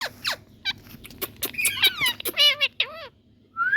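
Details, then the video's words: Indian green parrots calling: short squeaky notes, then loud harmonic chevron-shaped squawks bending up and down, a few rapid in a row, ending with a rising whistle. "Indian Green🌶Parrots Cute🎊 Calling Sounds"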